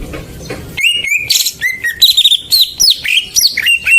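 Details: Greater green leafbird lure song meant to prompt silent birds into singing; after a brief quiet start, a lively run of clear whistles, slurred upward and downward notes and quick chips follows, loud and continuous.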